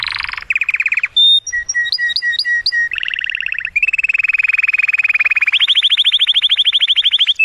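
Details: Canary singing in an excited voice to stimulate the female for mating: buzzy burst, repeated ringing chip notes, then long rapid rolling trills shifting from low to higher pitch.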